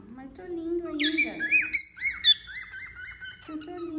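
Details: Moulting wild-type male cockatiel whistles a run of rising-and-falling slurred notes, several in quick succession, while a person speaks at the start and end.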